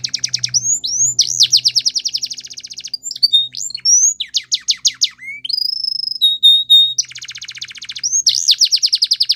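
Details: Male canary song made of rapid repeated trills, looping whistled notes and steady held tones, the phrases following one another without a break.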